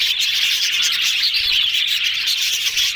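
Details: Contented yellow budgerigars keep up a dense wall of rapid high chirping and scratchy warbling, even in level with no pauses.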